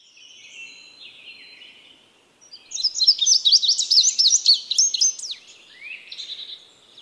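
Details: Indigo bunting, also called kenari biru, singing a rapid three-second burst of high, sharp chirps and paired buzzy notes. Fainter high whistled notes come before and after it.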